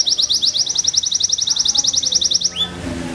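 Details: Small hunched-posture Belgian Bossu canary, a popular contest breed, runs a rapid even trill of short high notes for over two seconds, ending with one falling slur.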